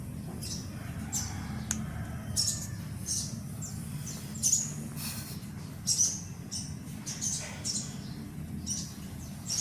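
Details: Sun conure chick repeating high, scratchy squeaks in uneven bursts, with one sharp click and a continuous low hum behind.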